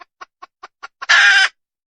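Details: Wild red junglefowl hen giving six quick, evenly spaced clucks that lead straight into a single loud, rough, drawn-out squawk.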